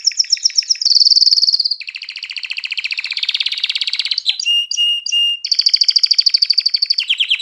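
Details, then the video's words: Canary song for stimulating females to breed and young to sing: quick trills, a loud high rolling tour, a long lower churring stretch, three flat whistled notes, then more rapid high trills. "تغريد كناري نار لتهييج الإناث على التزاوج وتحفيز الفراخ على التغريد"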